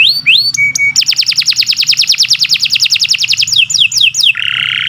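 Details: Kenari Nusantara canary performing extended training song for other birds: rising whistles and a flat tone, then a long fast trill of high sweeps slowing into looping notes, ending in a harsh buzzy rattle; faint low hum behind.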